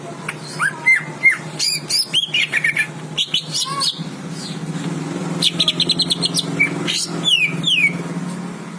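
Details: Greater green leafbird, one of twelve kept birds, in chatty song: sharp rising and falling whistles, slurred notes and quick chirps in varied bursts, over a steady low hum.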